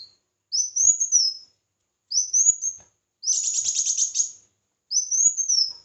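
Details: A red-whiskered bulbul sings competitively, giving short arched whistled phrases, and in the middle a buzzier, rattling phrase of rapid notes, with brief gaps between.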